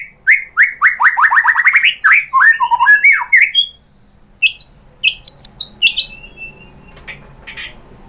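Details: White-rumped shama song for luring a bird into reply: a fast, loud sequence of rising chirps and squawky notes that fades into sparse, softer high whistles and quiet background.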